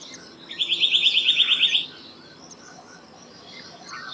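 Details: Black-naped monarch song: one rapid, even run of about ten ringing whistled notes lasting just over a second, then quiet with faint distant birds.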